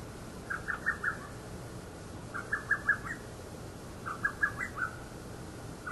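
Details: A lesser cuckoo, a bird heard calling both day and night, gives its loud, staccato phrase of four or five sharp, whistled notes, repeated about every two seconds over a steady background hiss.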